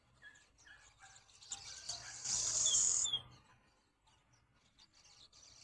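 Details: At a window, swallows produce soft scattered chips building into one loud burst of high, rasping twitter that ends in descending slurred notes.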